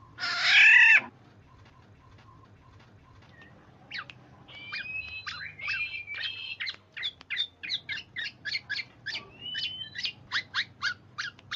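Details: A Black-naped Oriole (Oriolus chinensis), used as a lure that other orioles answer, opens with one loud, harsh, nasal squawk, then a run of short, sharp chips and brief whistled notes at a quickening pace.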